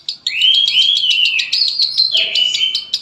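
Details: Loud, continuous konslet chatter by a Palembang lovebird, buzzy whistled phrases climbing and dipping with fast ticking notes running through them, without pause.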